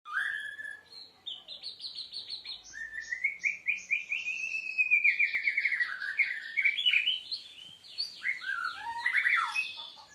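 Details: Seven-month-old White-rumped Shama (Murai Aceh) singing during a bowing display ('main sujud'): rich varied phrases of clear whistles, a long sliding note falling across the middle, then rapid chattering and trilled notes; a man speaks faintly.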